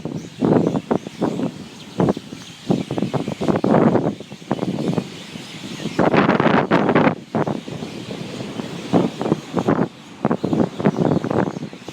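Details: Gusty wind buffets the microphone in irregular bursts, with rustling leaves and a faint background rumble.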